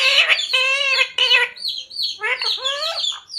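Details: Talking parrot repeating "Radhe Radhe" and "Sita Ram": loud, harsh, voice-like syllables followed by thin squeaks and further mimicked words.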